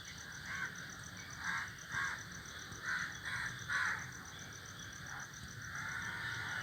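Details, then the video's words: A group of crows sitting together in a tree call out with repeated rough caws, about six bursts spaced roughly a second apart, above a constant high-pitched buzzing background. "crows sitting in the group are making noises are sitting on the tree"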